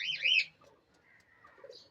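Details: A cockatiel from a colony of four pairs gives a quick pair of bright, warbling notes that swoop up and down.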